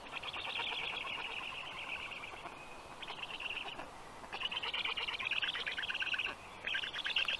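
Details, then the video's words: Black stork chicks in care at a university of life sciences in Tartu, Estonia, at breakfast feeding time. Harsh, buzzy, high calls come in long overlapping bursts with short pauses between them, over forest background sound. "Must-toonekurg 2~Breakfast by Toru (Pipe) for the little ones"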